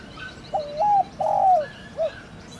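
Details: Single 'thổ đồng' calling phrase of a spotted dove, used to rouse decoy birds. Mellow low coos: a brief quavering start, a drawn-out sliding coo, and a clipped final hoot, then silence.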